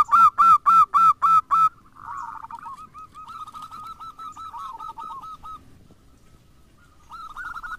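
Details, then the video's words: Zebra dove song, local and crossbred birds, used as a lure to set other doves singing: a loud run of six evenly spaced, rolling coos repeated about four times a second, then softer, rapid trilled cooing notes with a brief pause. "Pancingan perkutut lokal maupun crosing (TERAMPUH BIKIN BUNYI)"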